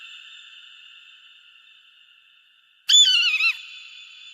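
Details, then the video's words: Eagle call played to drive off pests. A single loud, wavering scream bends downward and ends in a falling slur, after a long stretch of quiet, steady background hum. "suara burung elang pengusir hama"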